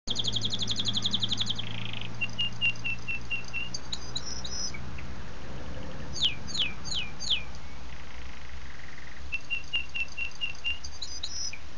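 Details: Canary singing: high rapid buzzy trills, strings of evenly repeated chips, and a run of steep downward-swept whistles, over a constant low hum.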